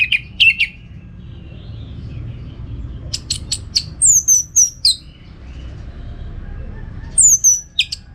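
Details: Orange-headed thrush in full contest-style song, used to train birds for song contests: short high chips, then loud sharp whistled notes dropping in pitch, repeated in quick bursts with gaps, over a low steady background hum.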